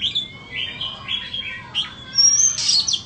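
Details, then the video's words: Oriental magpie-robin ('than bông' type), a caged bird for sale, gives a short song of clear whistled notes, each slurred upward, ending in a high thin whistle and a burst of sharp, scratchy twitters. "Chích choè than bông"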